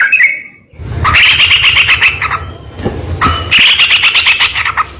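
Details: Sooty-headed bulbul (trucuk) singing the rapid, harsh 'ropel nembak kasar' style as a training recording: a short whistled opening, then loud buzzy chattering bursts with a gap near three seconds, over a low rumbling background.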